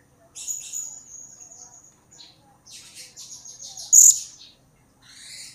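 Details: Blue-crowned hanging parrot calling actively as a lure. Thin high sustained twittering, rougher chattering, then one loud, sharp, piercing note and fading scratchy sounds.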